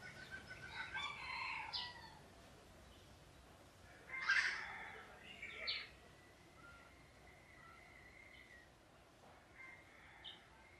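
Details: Jungle fowl at a pagoda beside a community forest in Siem Reap, Cambodia, crowing in the open: a raspy, harmonic crow near the start, a second louder broken crow around four seconds, then fainter trailing notes over a soft hiss.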